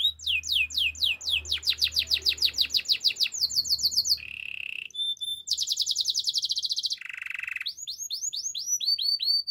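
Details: Canary singing a varied, fast song: rapid repeated high notes in rolling trills, a dip into a lower buzzy roll, then sweeping upslurred whistles near the end, with a faint low hum early on.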